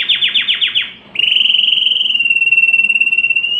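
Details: Canary singing for mating stimulation, with about six quick descending chip notes followed by a long, steady, fast-pulsed rolling trill held for over two seconds.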